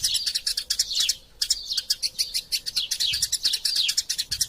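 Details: Excited chirping of a fighting Eurasian tree sparrow, recorded as training material for songbirds: rapid, loud high chirps and sliding notes, broken by one brief pause near the first second before the chatter resumes.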